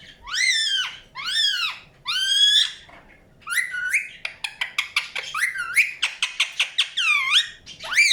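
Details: Indian ringneck parakeet calling: three long arched squawks with rich overtones, then a rapid burst of short sharp chirps and rising whistled notes.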